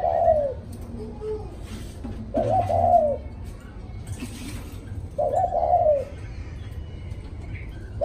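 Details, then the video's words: Spotted dove in post-storm 'cu thúc' song, three rough cooing phrases roughly every two and a half seconds, quieter low coos between them, faint indoor background hum. "Cu thúc sau trận bão"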